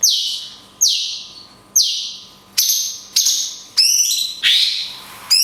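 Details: Cungkok song in the 'tembakan kunti panjang' style for tutoring songbirds: a run of strong, high, descending whistled shots nearly a second apart, ending in a brighter trilled phrase. Low steady hum throughout.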